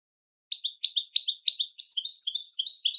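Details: Goldfinch singing, a recording meant to teach birds to sing on command: four rolling, slurred chirps open the strophe, then a faster string of thin, high, tinkling notes runs on steadily to the end; no other sounds present.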